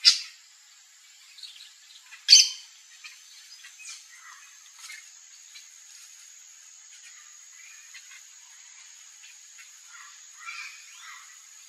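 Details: Yellow-chevroned parakeet (Brotogeris chiriri), Brazilian fauna, at backyard fruit: two loud, harsh, high screeches at the start and after two seconds, then faint scattered chips and chatter over a steady high-pitched whine.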